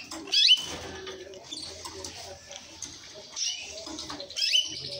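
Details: An orange mosaic canary gives high whistled phrases: a loud rising sweep at the start, then softer buzzy trills and thin notes, and another bright sweep near the end, with short quiet gaps.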